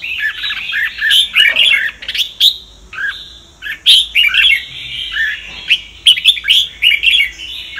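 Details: Training recording of a red-whiskered bulbul in the Sông Kon style: energetic, repeated phrases of sharp chirps and rolling whistles, each burst about a second long, separated by short pauses.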